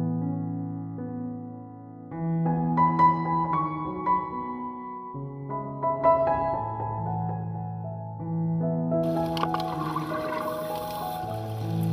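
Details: Soft keyboard music with sustained piano chords and a brief watery shimmer near the end; no animal voice is heard.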